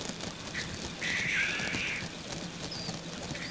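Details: Lekking male black grouse in courtship display: one long breathy hiss lasts about a second, with faint bird chirps and background noise around it.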